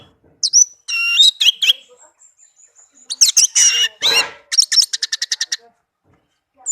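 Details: Melodious singing from a tame, kept Orange-headed thrush: bright high whistles and buzzy chirps, then a fast evenly repeated series of sharp notes, with brief silences between phrases.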